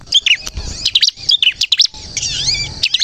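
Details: Bar-winged prinia singing vigorously, used as a lure for trapping and to prompt other prinias to sing: high, sharp chirps and short twisting whistled notes in quick bursts, with gaps and faint low rumble beneath.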